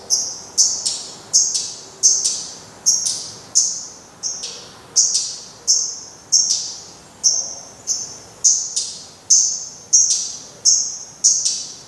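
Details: Black redstart calling at the nest as the last surviving chick fledges, 24 May 2020: a long steady run of high, thin, sharp whistled notes, roughly one every three quarters of a second, each dropping off quickly.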